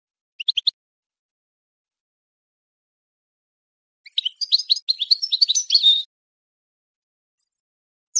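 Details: Goldfinch song used as a teaching tape for young songbirds: a brief high chirp burst, then a two-second rapid twittering run of bright high notes, and a short final chirp, with silent gaps between.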